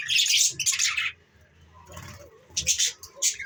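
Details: Pet budgerigars, recorded December 14, 2023, giving two loud raspy chattering bursts, a lull with faint low rumbling, then more scratchy chirps toward the end.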